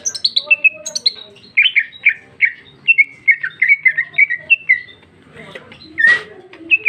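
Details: Female cucak ijo (greater green leafbird) in loud free song with rich fill, 2021. High descending whistles lead into a long quick chain of buzzy slurred notes, then a brief loud harsh burst.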